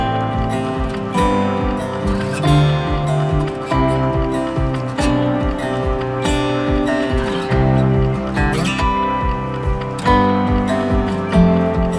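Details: Steady instrumental music with plucked guitar and a strong bass beat; no animal voices are heard.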